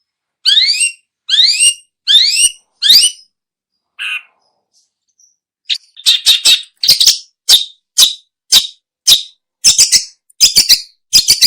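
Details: Long-tailed shrike, known locally as pentet or cendet, in a recording meant for luring birds: four harsh, rising, overtone-rich notes, a short pause, then a fast run of rasping scratchy bursts repeated about twice a second.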